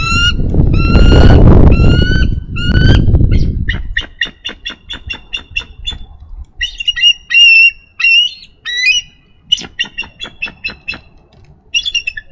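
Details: Nesting female bald eagle filmed by a nest camera in Minnesota on 3 May 2013 calling for relief from incubation duty; shrill piping notes at first over wind, then a rapid chatter of clicks and squeaky high chirps.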